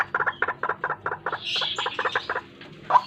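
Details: Morning trapping lure of a white-breasted waterhen, a fast run of doubled croaking notes, briefly pausing mid-phrase before a final loud note.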